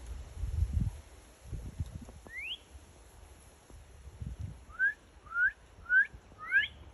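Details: Northern cardinal sings one high upward-sweeping whistle, then after a pause four lower slurred whistles in quick succession, each rising then dipping; soft low thumps and rumble early on.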